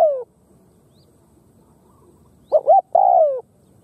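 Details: Khmer spotted dove cooing: the tail of one phrase, a pause, then a short double coo followed by a long, steady, slowly falling coo. The phrase is cut off at the end against quiet background hiss.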